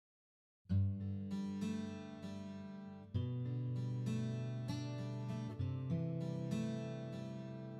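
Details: Plucked acoustic guitar chords ring out and fade, struck again about every two and a half seconds, with no animal sound.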